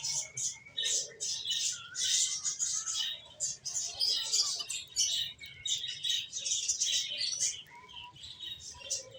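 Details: A flock of finches keeps up near-continuous high chirping, dense overlapping tweets with a few lower soft notes mixed in and no gaps between bursts.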